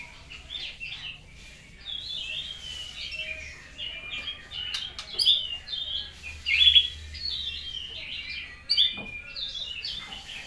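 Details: Shama, finished with its moult and practising new sounds, delivers a soft, continuous stream of high, quick warbled and whistled notes with a few sharp accents and a faint low hum behind.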